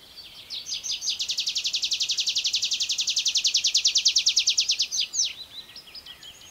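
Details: Tree pipit singing from the ground, verses shorter than in its song flight: a long, even, rapid trill of high buzzy notes lasting about four seconds, then a few slurred down-sweeping notes.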